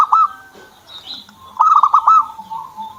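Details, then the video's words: Owned zebra dove, known locally as perkutut, gives a brief cooing note and then a quick run of five staccato, throbbing coos at a steady pitch. Soft background chirping. "PERKUTUT SAYA JADI MAU BUNYI"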